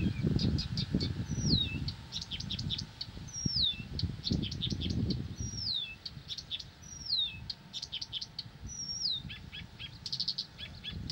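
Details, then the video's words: Blyth's reed warbler singing tirelessly: a clear whistled note that slides sharply downward, repeated about every two seconds, with dry clicking and ticking notes between, over a low rumbling background noise. "САДОВАЯ КАМЫШЕВКА НЕ В СИЛАХ ПОМОЛЧАТЬ!"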